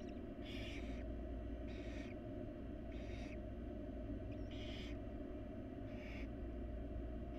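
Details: Wild barn owl chicks in a monitored nest box beg while their mother feeds them. Five harsh, breathy hissing bursts arrive about once a second over a steady low hum.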